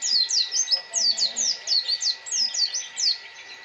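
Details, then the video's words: Pleci, a white-eye, giving a lively high-pitched song of quick descending chirped notes in an even stream, roughly three or four per second, with a faint steady hum behind. "Burung pleci"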